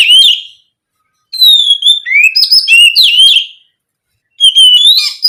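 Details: Kacer, the oriental magpie-robin, in loud 'ngeplong gacor' song meant to stir other magpie-robins into singing. Three bursts of bright, fast whistles with sharp upward and downward slurs, separated by brief silences.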